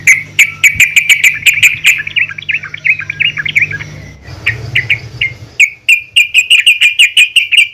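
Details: Yellow-vented bulbul female calling other bulbuls to sing: long runs of rapid sharp chirps at even pitch, a softer warbling section with background hum, then a renewed fast chattering series.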